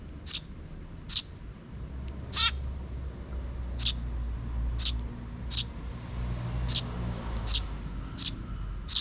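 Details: Sparrow chick calls in a park, recorded 12 June 2023 as a young chick follows its parent: sharp high chirps repeated roughly once a second, with low rumbling background noise throughout.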